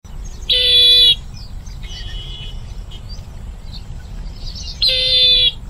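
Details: Bronze-winged jacana giving two long, harsh, nasal, buzzy notes, each about half a second, separated by a gap of roughly four seconds, with faint softer notes between them over a low background rumble.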